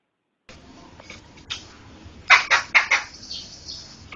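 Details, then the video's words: After a quiet start with faint scraps, a laughingthrush bursts into four loud, rasping notes in quick succession, then trails off. The recording serves to tutor other songbirds. "Ocehan Burung Poksay"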